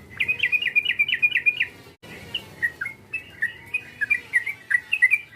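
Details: Yellow-vented bulbul calling to provoke a rival, with a run of quick chirpy notes followed, after a short break, by scattered bubbly whistled phrases.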